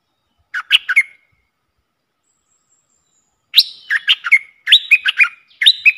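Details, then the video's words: Streak-eared bulbul lure call, recorded while trapping wild birds with a decoy: bursts of sharp, bubbly chirps in quick clusters of three to five notes, with a pause between the first and later bursts. "Suara pikat merbah lekir"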